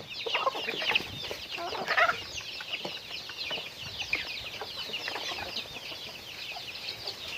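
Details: Chickens going about their daily activity, a dense chorus of overlapping high, short chirping calls with a few louder peeps near the first and second seconds.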